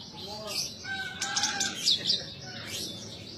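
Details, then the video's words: Captive Horsfield's bush lark (branjangan) singing vigorously in the gacor style, giving scratchy high chirps and short buzzy notes with a few lower whistled tones mixed in over a faint hum. "edan suara burung branjangan gacor"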